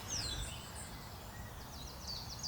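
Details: A territorial willow tit (Poecile montanus) calls in spring, early courtship season, from high in a birch in UK wetland: a thin, high whistle sliding downward, then quick short high notes, over steady wind rumble.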